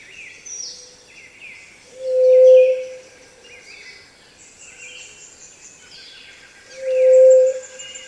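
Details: Peruvian ground dove, the pallid dove, calling a single low whoo twice, each flat, hollow note roughly a second long and five seconds apart, with quiet high-pitched birdsong underneath.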